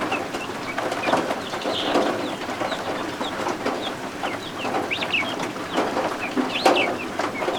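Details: Just-hatched guinea fowl keets peep repeatedly while warming under a heat lamp indoors. Their thin, high, slurred chirps overlap in loose clusters, and a sharp tap sounds near the end. Rainfall hisses throughout.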